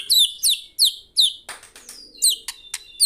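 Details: Murai (white-rumped shama) singing gacor: loud, bright downslurred whistles repeated about every half second, with sharp clicks in between.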